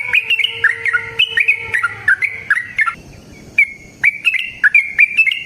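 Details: Trucukan, the Yellow-vented bulbul, sings a lure song meant to prompt other birds to sing. Chattering runs of quick, gurgling whistled notes are broken by a short pause, then fresh bursts of bright, bouncy phrases. A faint low hum lies underneath.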